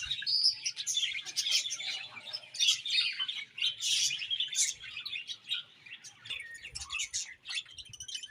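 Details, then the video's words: Budgerigars chirping in lively, high, scratchy warbles with short squeaks, in uneven pulses that soften slightly toward the end. "Budgies Chirping Sounds"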